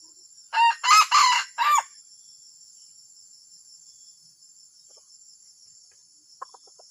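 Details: Strange, disruptive junglefowl call: a loud four-part crow in the first two seconds, rough and ringing, followed by quiet with only a few faint ticks near the end and a persistent high whine.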